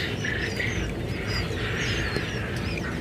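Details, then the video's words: A brood of quail chicks, recorded 15 February 2021, cheeping in short bright chirps. Several birds call at once in scattered clusters, over constant low background hum. "Quail chicks"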